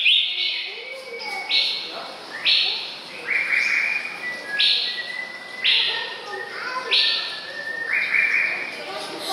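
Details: Bright upswept whistles from a male White-rumped Shama, 24 May 2014, come about once a second in an uneven series, mixed with fainter flat whistled tones.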